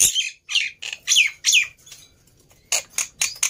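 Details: Black-winged myna in a lure recording meant to provoke other birds into singing: harsh high squawks and buzzy notes, some with sharp falling whistles, in quick bursts separated by short pauses, then a run of scratchy chatter.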